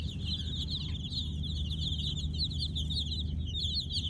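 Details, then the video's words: Young chicks at night giving nonstop high, shrill peeps in a steady overlapping stream, many birds calling together, with a loud low-frequency hum underneath. "Baby Chicks "Chirping Sounds" in night!"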